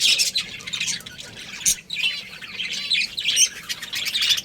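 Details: Breeding pair of budgerigars: a steady stream of rough, buzzy warbling with quick trilled phrases and occasional sharper squawks.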